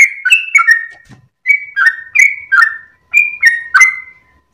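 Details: Sooty-headed bulbul at first light, wagging its tail as it sings. Short groups of two or three whistled notes, high then lower, separated by brief pauses, with a soft thump between groups.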